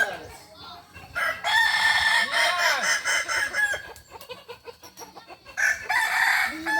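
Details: Kukuak Balenggek roosters at a crowing contest final in Ampang Kualo, Kota Solok, Sunday 8 September 2024. Loud stepped crows in two bursts, with rapid clicking and background crowd noise between them.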